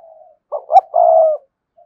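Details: Single coo phrase from a cườm sa spotted dove meant to set male birds cooing: a faint lead-in note, two short low pulses, then one long even coo.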